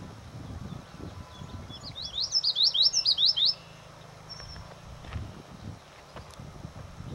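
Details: Common yellowthroat delivering a single bright song of roughly eight quick, high, looping notes lasting just over a second, set amid quiet background with a soft low rumble and a few faint ticks.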